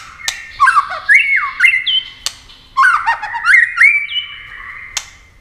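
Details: Competition singing of a white-rumped shama, wing-flashing and tail-flicking nonstop: two bursts of loud, varied whistles that swoop downward into sustained ringing notes, with harsh squawk-like elements and sharp snapping clicks between bursts.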